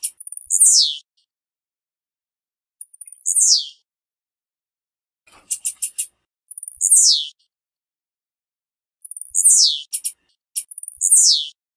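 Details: Blue-black grassquit (Volatinia jacarina) song, a bird being warmed up to sing loudly: a very high, thin, buzzy, downward-slurring note repeated every two to three seconds, with a few brief ticking notes between.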